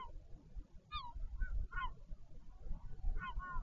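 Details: Northern royal albatross parents swapping at the nest, Taiaroa Head near Dunedin, New Zealand, 14 February 2019: four short, nasal, downward-bending cries spread across a few seconds, backed by wind.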